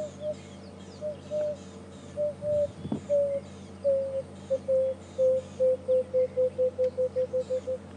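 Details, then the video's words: An emerald-spotted wood dove calls on an afternoon safari drive on 23 January 2015 at Djuma, a South African game reserve, the bird wary of approach: soft, mournful low hoots, slow and spaced at first, then quickening into a rapid run of short notes, with a brief knock partway through. "This is the call of the emerald spotted wood dove."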